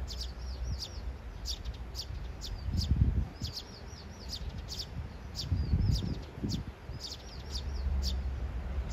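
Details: Three sparrows in a courtship triangle: one male-like suitor approaches and courts another, a third imitates and competes, chirping noisily; short, high chirps in quick overlapping bursts over low rumbling background noise.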